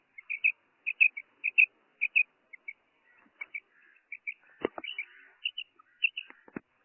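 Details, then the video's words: A female Common Quail gives short, high, paired chirping notes repeated in quick succession, with a few sharp knocks and rustles near the end. "Female quail sound| madi batair ki awaz"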